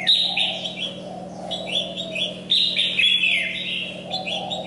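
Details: Caged decoy red-whiskered bulbul in Vietnam, singing energetically while molting; quick bright chirps and short slurred whistled phrases in rapid, uneven succession, over a steady low hum.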